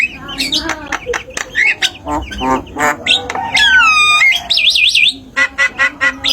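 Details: Javan myna (jalak kebo) used as tutor sound for silent cage songbirds, giving varied chatter: rasping squawks, short chips, a long descending whistle and a rapid warbling trill near the end.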